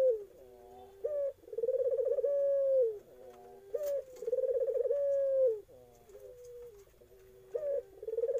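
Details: Young Eurasian collared dove cooing: deep, mellow hooting notes in a rolling pattern, each phrase with a long sustained coo followed by shorter lower notes, repeated several times in a quiet indoor setting.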